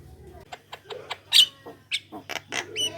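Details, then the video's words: Javan myna song used as a lure to set other Javan mynas singing: scattered squeaks and clicks building to a loud harsh screech, then a run of scratchy chattering notes and whistled squeals; low hum underneath. "Jalak kebo gacor ngoceh suara pikat buat pancingan jalak kebo manapun"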